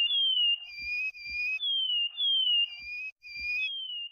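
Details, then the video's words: Plumbeous seedeater giving its "chorão" song: a near-continuous run of sweet whistles, each falling slowly in pitch or holding level with a thin upper overtone, linked by brief gaps, with soft low thuds underneath. "PATATIVA CHORONA \ CANTO CHORÃO."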